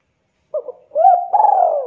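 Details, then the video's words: Javan zebra dove in dense 'KUK 2' voice: a short stuttered opening, then a clear rising coo and a long, slightly trilled note that slowly falls away. "Derkuku Jawa super gacor suara rapat KUK 2"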